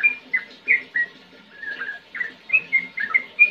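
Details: Sooty-headed bulbul in lively ngetir ngerol singing: sparse, clear whistled notes and short slurs spaced by quiet gaps, some rising, some falling, with a quicker cluster near the end.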